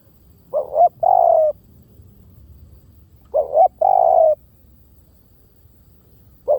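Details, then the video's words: Lure recording of a spotted dove with two full cooing phrases about three seconds apart and the start of a third. Each phrase is a short double note followed by a longer, steady, falling coo. "เสียงนกเขาใหญ่!! เสียงต่อ! ชัดๆแบบ V18"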